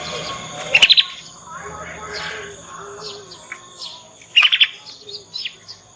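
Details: Young Yorkshire canary learning the ngriwik sound as a lure for other canaries; two short rapid trilled bursts about three seconds apart, with softer scattered twitters and a steady background hum.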